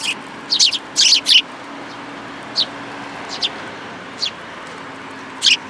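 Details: Sparrows come to a plum-tree feeder at a Tenmangu shrine, 21 June 2022, one a newly arrived fledgling; a quick cluster of loud chirps opens, followed by single sharp notes every second or so.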